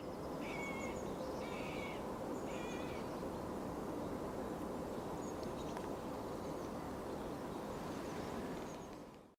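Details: Middle spotted woodpecker (Dendrocopos medius) song in Moscow, 2016: three slow, nasal, quacking notes about a second apart, then fainter calls, over a steady roar of wind or distant traffic.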